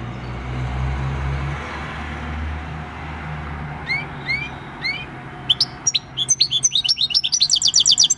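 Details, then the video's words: Wild-caught European goldfinch aged six, singing field-style song on 26 December 2019; after low background hum, a few rising call notes lead into an accelerating stream of high tinkling trills. "Jilguero campero "EL CARBONERO" / Chant du chardonneret / Goldfinch song"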